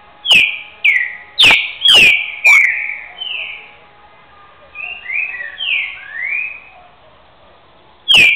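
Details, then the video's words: Caged two-year-old green-winged saltator (trinca-ferro) from Rio de Janeiro state giving its trained boiadeiro song, known for over 200 repetitions ending in boi: five loud whistled phrases sliding downward about half a second apart, softer slurred notes, then one more loud phrase. "trinca ferro BARÃO repetidor boi"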